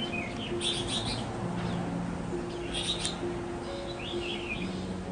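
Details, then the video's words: A wild-caught red-whiskered bulbul trapped in the forest, praised for its fine voice, gives short, bright warbled phrases in three bursts about two seconds apart, over a steady low hum and faint music-like tones. "Chim Bẫy Chào Mào Tố Chất Giọng Cực Hay"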